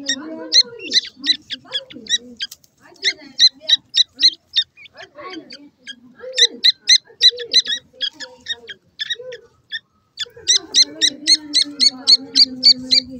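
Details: New francolin chicks feeding; rapid high peeping notes in runs of about four per second, with lower murmuring sounds beneath.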